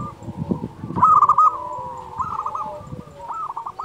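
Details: Zebra dove, a local bird in active song meant to stimulate doves slow to sing: one loud stuttered coo phrase, then softer trilled bursts, with rapid low tapping throughout.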